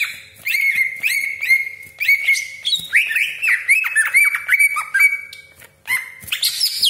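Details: Greater green leafbird delivering a piercing 'tembakan' song, played as a lure to excite other leafbirds: repeated bright whistled notes with buzzy overtones roughly twice a second, then rapid tumbling chatter, a brief quiet gap and a harsh final burst.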